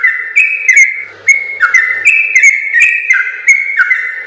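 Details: Yellow-vented bulbul giving chatty long 'ropel' song as a training model: clear whistled notes in quick succession, dipping and rising in small steps, with crisp high clicks and a short break near the start.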